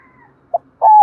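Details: Spotted dove lure bird with a 'thổ' style voice, calling to stir wild rivals to answer and fight. A short clipped note is followed by one long, steady, level coo, with faint low hum beneath.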